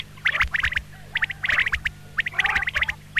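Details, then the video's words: Female common quail calls, described as double quail calls: clusters of short, bright, clicking notes near the upper-middle range, bunched in quick groups roughly once a second, with a faint steady low hum underneath. "CALL COMMON QUAIL (Coturnix coturnix) Double Batair ki Boli, Batair Ki double Awazay, Female sounds"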